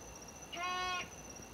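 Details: Unidentified bird, possibly a large round owl, honking outdoors around midnight; a single nasal, richly harmonic honk lasting about half a second, over a steady high insect whine.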